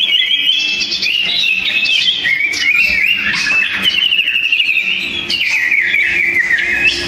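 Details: Two sooty-headed bulbuls, named as rival birds, in a fierce song duel, recorded for training other songbirds. Loud, continuous whistled warbling with sliding notes and rapid trills that rise and fall, dense and unbroken throughout.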